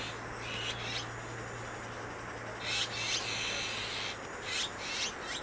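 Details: Rasping, hissy bursts from Azure-winged magpies rearing young in Maeji-ri, Wonju, South Korea. The calls repeat unevenly, about five in five seconds, over a faint low hum.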